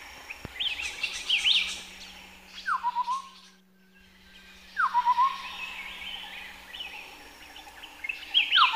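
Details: Chestnut-headed partridge in highland forest at Bokor National Park, Cambodia. It gives clear whistled notes slurring down in short spaced bursts, with other birds chirping and twittering higher around it over a faint steady hum.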